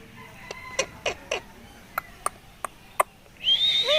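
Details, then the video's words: A talking rose-ringed parakeet at the Mirpur 1 bird market, Dhaka, Bangladesh, on 20 November 2023 gives a run of sharp clicks, roughly three a second, then a harsh, whistled, speech-like phrase. "কথা বলা টিয়া পাখি"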